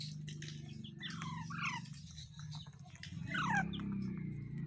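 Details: Pet parrot giving short downward-sliding screeches in small clusters over a steady low droning hum in the background.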